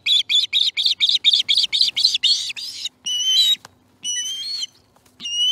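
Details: Osprey at the nest at breakfast time, September 2019: a quick burst of sharp chirps that slows into several longer, drawn-out whistled squeals with pauses between them.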